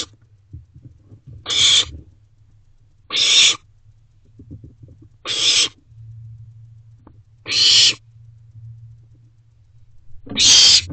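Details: Owlets at a nest box at night, 10:36 pm on 26 June 2023: five harsh, breathy hissing screeches, each about half a second long and spaced roughly two seconds apart, over a faint low hum.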